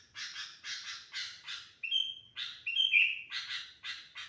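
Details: Sooty-headed bulbul, a noisy, lively singer: harsh chattering bursts repeated about twice a second, broken by a few short, clear whistled notes in the middle.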